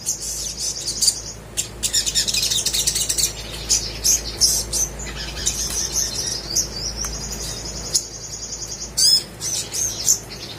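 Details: Crimson sunbird singing a 'gacor' lure song for quiet birds. High squeaky chirps and rapid trills come in bursts separated by brief pauses, including a sustained buzzy high trill near the middle.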